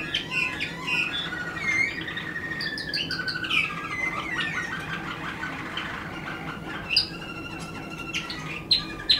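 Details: Waterslager canary singing a varied run of rolling trills, descending whistles and rapid ticking notes, ending with sharp high accents, over background hum.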